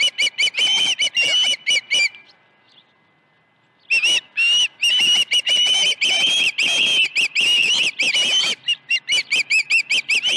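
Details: At the Dunrovin Ranch osprey nest on 21 August 2019: fast bursts of shrill whistled chirps, a two-second pause, then a long, dense stretch of rapid, overlapping piercing calls before spacing out again.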